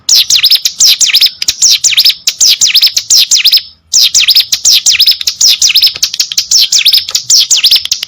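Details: Hill prinia, known locally as ciblek gunung, singing energetically: a fast run of sharp high V-shaped chirps repeated in quick bursts, with a short pause near the middle.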